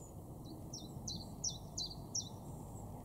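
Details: Common Chiffchaff in a garden at Weener, East Frisia, northwest Germany, in May 2022, singing a brisk series of about six thin, high notes, each dropping in pitch, alternating slightly in height, over low ambient hum.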